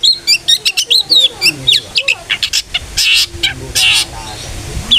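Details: Ngeplong-style song of a long-tailed shrike, played to prompt other shrikes to sing: quick clipped high notes and slurred whistles, then broad harsh rasping bursts around the third and fourth seconds.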